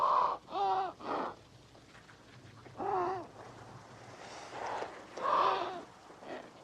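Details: Adélie penguin (Pygoscelis adeliae) in Antarctica in spring, when males arrive first in late October after crossing the ice from the sea to colonize the shores, giving harsh, braying squawks in short bursts of two or three notes, with pauses between and a faint low rumble behind.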